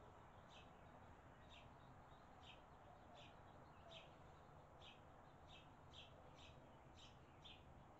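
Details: Barn swallow parents feeding their nestlings in Las Cruces; short high chirps repeated in a steady series roughly every half second to second, fairly soft against a constant broad rushing background noise.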